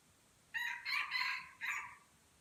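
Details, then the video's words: Crowing contest of Aceh jungle fowl at Kuta Malaka: one loud, rasping crow with a short opening note, a longer drawn-out middle and a falling final syllable, over a steady, quiet hiss. "Ayam Hutan Aceh # Perang Kokok"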